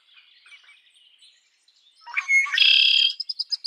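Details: Red-winged blackbird song: a few soft, thin introductory notes, then a loud buzzy, rattling trill lasting about half a second, trailing into several separate clipped pulses, with faint chirps of other birds behind.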